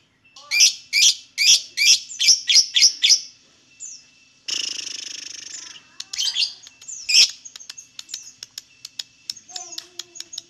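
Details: Lovebird singing, recorded to coax other lovebirds into song: a fast run of about eight shrill, high chirps, then a harsh buzzy burst and a scatter of rapid ticking notes and squeaks.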